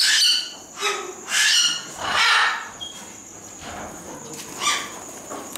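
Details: Captive superb starling at Děčín Zoo giving loud, harsh, chattering bursts of rich, noisy notes, about four main bursts in quick succession, followed by a few quieter chirps and a thin steady high whine in the background.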